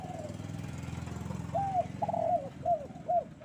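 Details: Spotted dove on a bright morning: an engine-like drone fills the first half, then four or five mellow arched coos follow at short intervals over the lingering rumble.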